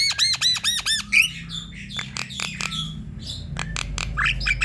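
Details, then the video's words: A Javan myna pours out a vigorous song meant to coax other mynas into singing, opening with a fast run of bouncy arched notes, then harsh clicks and scratchy squawks, ending with a rising squeal. "Suara jalak kebo ini untuk memikat jalak kebo lain agar ikut bunyi"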